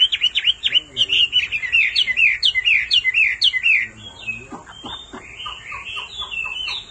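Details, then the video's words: Singing hwamei goaded by a female's continuous calls: a dense string of bright, bouncing whistled notes, then softer, spaced upslurred phrases as the song trails off. "Họa mi mái xùy liên hồi kích chim trống căng lửa hót ngay"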